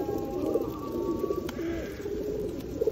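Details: Rain-soaked feral pigeons gathered for feeding at Osu Kannon in 2021 give short, muffled, low coos in quick succession against continuous rainfall and a faint tonal hum.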